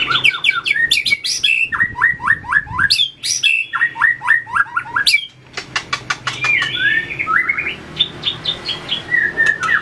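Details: White-rumped shama practising competition song while flicking its tail and moving along the perch; loud repeated series of descending whistled notes in quick groups, interspersed with sharp clicks and varied warbles.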